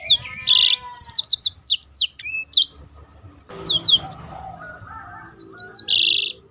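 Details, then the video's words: A black-throated canary's song for training other birds and making them sing; repeated descending high whistles in quick series, buzzy bursts, and a few lower whistled notes between phrases. "burung blackthrout lain pun ikut tergoda berbunyi."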